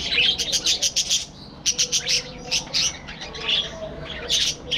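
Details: A captive budgerigar colony in a breeding aviary gives loud, rhythmic bursts of high chirps, about four to five per second in runs, separated by short gaps.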